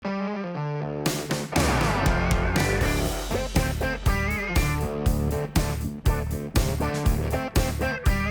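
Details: Strummed electric guitar music with a bass line and a steady beat over footage of bird photography on Grimsey Island, Iceland; no animal voice heard.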